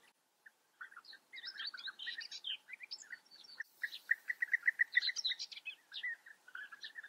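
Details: Several European bee-eaters at a breeding colony in the Eifel, Germany: overlapping burry, rolling calls, including a fast even series of about eight identical notes, amid scattered higher chirps.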